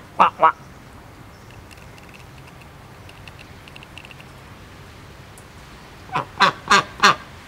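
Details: Pair of pet domestic ducks at a private home: two quick nasal quacks, a long quiet stretch with faint background sounds, then four loud harsh quacks spaced about a third of a second apart.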